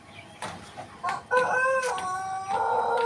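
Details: White Pelung cockerel beginning a crow. Short rough notes lead into a louder, sustained, ringing tone that wavers slightly and carries on to the end, over a low, busy background.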